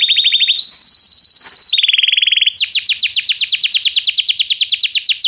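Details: Canary song for training a Belgian canary: a series of level trilled phrases shifting between pitches, a short pause, then a run of loud, fast downward-sweeping whistled notes.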